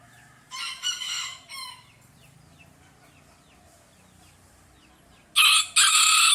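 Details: On a farm, a free-range rooster crows in rough, broken bursts, first a distant-sounding triple phrase, then quiet with faint chirping, then a loud, close harsh crow beginning near the end.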